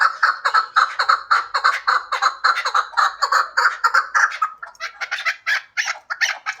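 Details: Hybrid chukar partridge: clipped, throaty chuk calls repeated about twice a second, evenly spaced at first, then becoming more broken and higher toward the end.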